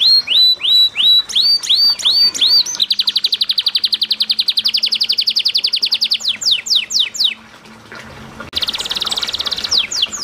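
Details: Canary in full song over running water, used as a lure to get other canaries singing: repeated ringing rising notes, then a long very fast rattling trill, descending sweeps, a brief lull and another dense trill.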